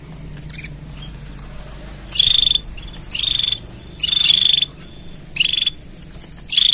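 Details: Singing canary with mating sounds for training: a steady run of buzzy pulsed trills, each lasting under a second, repeated almost every second with short pauses.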